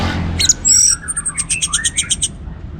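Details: Orange-headed thrush in vigorous song for prompting other birds: a squeaky high note, then a fast even series of about ten pulsed notes with a rising slurred whistle beneath.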